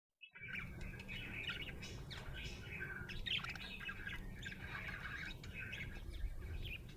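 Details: Happy budgerigar chirping: continuous busy warbling chatter of quick high chirps and squawky notes, steady throughout, over a low constant hum.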